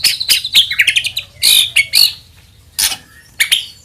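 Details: White-rumped shama lure song intended to spur other shamas to sing: high, sharp chips and short bright squeaky notes in quick clusters, with a faint low hum underneath.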